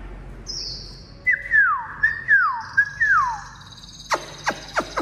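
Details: Tame pet Chinese hwamei said to sing well, kept free like a chicken: three loud, rich whistled phrases, each a sliding descending slur, followed by several sharp clicks and taps.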